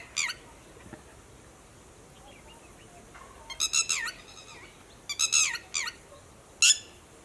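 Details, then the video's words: Red-wattled lapwing alarm call warning companions of human movements, heard as scattered shrill, strident notes, single or in bursts of two to four, spaced over several seconds with quiet gaps and faint softer calls between. "Red wattled Lapwing - Alarm Call"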